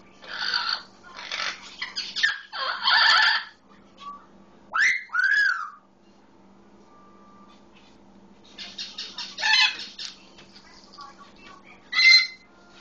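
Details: Pet Solomon Islands eclectus imitating a red-lored amazon with loud raspy squawks, a rising and falling screech and a short whistled note, separated by quieter pauses.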